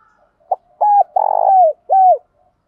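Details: Spotted dove giving the hạp bổi voice, used to stir trained birds into calling; a short hollow note, then two long low coos, the middle one buzzy and falling, and a final bent coo, in a quiet background.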